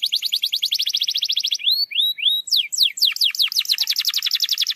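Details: Canary song used to provoke a quiet canary into singing: fast trills of repeated notes, then rising whistled slurs and sweeping notes, ending in another rapid trill.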